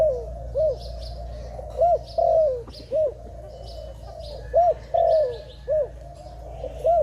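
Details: Clear, loud dove cooing: crisp arched notes alternating with long descending purrs, repeated about every two seconds. Faint high chirps from other birds and a low constant hum sit beneath.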